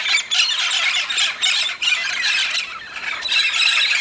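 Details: Red-spectacled parrots in a large migrating flock in the Santa Catarina highlands, southern Brazil, gathered to feed on araucaria pine nuts; dense overlapping harsh squawks and shrieks in continuous bursts, a noisy clamour filling the air.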